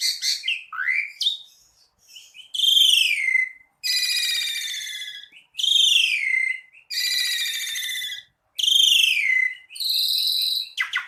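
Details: Gacor song of an Asian pied starling (jalak suren): long, loud, harsh, grating phrases, each lasting about a second, separated by short gaps and mixed with a few swooping whistles.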